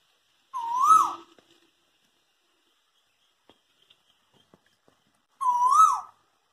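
A cuckoo gives two loud, whistled calls about five seconds apart, each swooping up and then dropping away, with only faint rustles between them.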